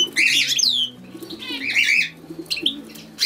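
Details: European goldfinch singing two loud, dense twittering phrases of liquid trills and chirps separated by a short pause, then a few scattered notes, over quiet background music.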